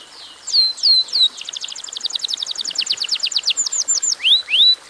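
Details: Atlantic canary singing energetically in a short song meant to trigger other canaries into song: a few sharp downslurred notes, then a rapid even trill of clipped high chips, ending with two rising whistled sweeps.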